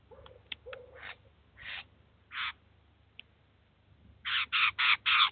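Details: Eurasian jay with chicks visiting a cheese feeder in Kaluga, Russia, the adult feeding and training them; scattered faint scratchy notes and a few isolated harsh bursts, ending in a quick run of four loud, rasping calls.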